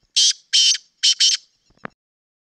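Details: Sindhi black francolin calling: four loud, harsh, grating notes, the first two spaced apart and the last two run close together, followed by a faint click.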